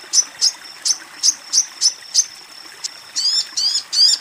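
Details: Female sogon (Ruby-cheeked Sunbird) calling a male. Rapid, piercing high chirps come in a quick, uneven run, then shift to three longer, harsher, downward-bent notes at the end. A thin tone hums steadily underneath.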